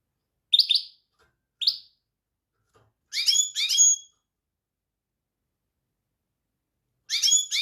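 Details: European goldfinch: two short bright chirps, then paired twittering phrases with rich overtones, and a final twitter after a long silence.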